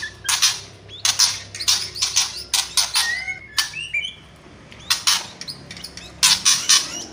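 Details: Kretekan song of the white-rumped shama: a steady run of harsh, crackling bursts, roughly twice per second, with occasional short slurred whistles and a brief pause midway.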